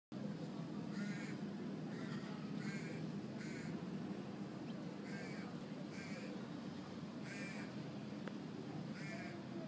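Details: Wild noisy miners at a backyard, being hand-fed, giving short, harsh, scratchy calls in loose bursts about once a second, over a steady low rumble of background noise.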